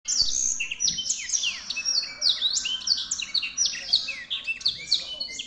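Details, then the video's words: Black-throated canary singing vigorously: a rapid, unbroken stream of high whistles, many sweeping downward, mixed with short trills and twittering notes, hardly pausing. "burung blackthroat gacor"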